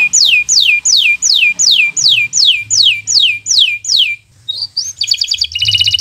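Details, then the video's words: Local canary with bottle-green plumage singing for young birds learning to sing: about ten loud downward-slurred whistles in steady rhythm, a brief pause, then rising notes and fast buzzy trills; low hum in the background. "Suara Burung Kenari Gacor Cocok untuk Pancingan Burung Belajar Bunyi"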